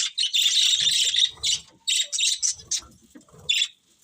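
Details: Colourful pet budgies in a loud, buzzy chattering burst followed by shorter scratchy chirps spaced out at uneven intervals.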